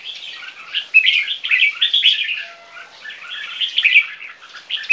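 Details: Two caged three-month-old Viet-Thai crossbreed red-whiskered bulbuls singing against each other: dense, busy chattering and warbling phrases of bright notes, with louder sharp accents scattered through and brief quieter gaps.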